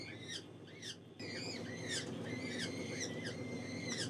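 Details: Captive gyrfalcon hybrid at a falcon breeding facility giving sharp, squealing calls that arch high then drop, repeated about twice a second against a low indoor rumble.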